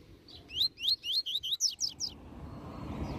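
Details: A master double-collared seedeater delivers a Tui Tui Zel Zel phrase for tutoring: about nine clear whistled notes, first rising slurs, then steeper descending strokes, fading into soft background hiss.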